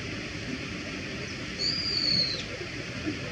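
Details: Wild Brown-eared Bulbul calling its plain 地鳴き note: one long, thin, high whistle, nearly level and drifting slightly lower before ending, set over a steady background rumble.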